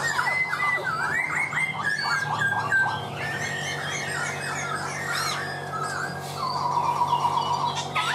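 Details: Laughingthrush singing a rich run of clear whistled phrases, some sliding down and others rising, followed by a long sustained note near the end, over a steady low hum.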